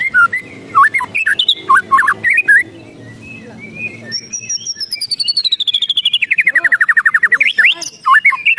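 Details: White-rumped shama, agitated and emotional, giving harsh rattling ketrekan calls: choppy notes around mid pitch, then a long rapid run of clicking notes sliding down from high to lower pitch, ending in sharp upturned chips.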